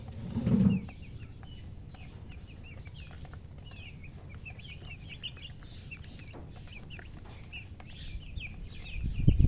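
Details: High chick chirps form a steady run of quick flicked notes in the middle, bracketed by loud low thuds or handling bumps at the start and end.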